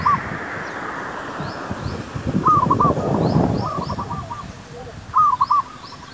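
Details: Zebra dove singing while used to lure wild doves for trapping: rolling, purring cooing phrases repeated three times over a few seconds, each a quick stuttered trill followed by soft notes, with rustling and outdoor background noise.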